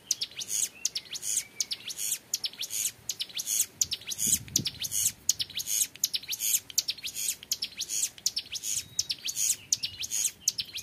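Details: Hill prinia, a young bird, delivering a long clear 'ngebren' song of high buzzy chirps and sharp downslurs in quick, steady bursts; a brief low thump sounds midway.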